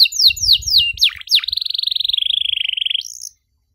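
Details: Canary song for young canaries to copy: a few quick falling whistles, two sharp swoops, then a long even rattling trill gradually lowering in pitch, ending on a short rising note before silence.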